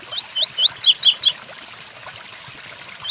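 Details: One full Tui Tuí Fibra phrase from a double-collared seedeater over light rain: three upward-sliding whistles then three rapid descending buzzy notes, followed by quiet rain.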